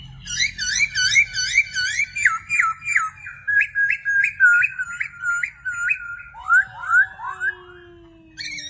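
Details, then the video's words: A singing bird repeats fast slurred whistled notes in steady runs, then a few higher upward-swept notes near the end; a low background hum is heard throughout. "birds singing"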